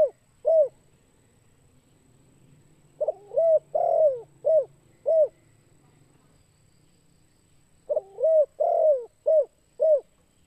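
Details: Kuk 2 type call of a spotted dove, used to lure birds. Two bursts of soft hooting coos, each a run of five or six notes with stuttered openings and short falling endings, are separated by a pause. A faint low hum lies underneath.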